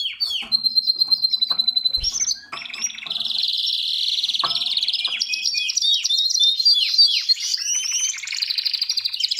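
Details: Domestic canary at the nest delivering a continuous, loud song: rapid clicking trills give way to a long buzzing roll, then sweeping whistled notes and high chattering phrases.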